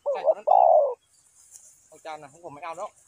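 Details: Spotted dove used as a trapping lure gives one loud coo phrase, short then long, followed by a person speaking.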